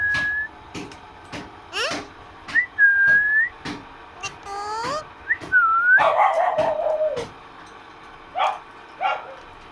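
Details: A pet parrot talking with its owner, giving a run of clear whistled notes, some rising and some falling, mixed with short sharp clicks and one louder harsh burst, with quiet gaps between.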